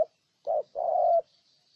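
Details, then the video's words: Spotted dove, Ninh Thuận, Vietnam: a short loud husky coo, a brief gap, then a long sustained low coo lasting about half a second, otherwise quiet. "Cu Gáy Ninh Thuận"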